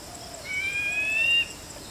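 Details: White-bellied drongo giving a single drawn-out whistle, close to a second long, that rises gradually in pitch and then stops abruptly, against faint steady background hiss.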